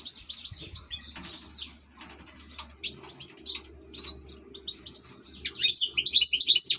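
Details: Caged European goldfinch, an ornamental bird, giving a rambling high twittering song that grows into a dense, loud burst of rapid chirps near the end, over a steady low background hum.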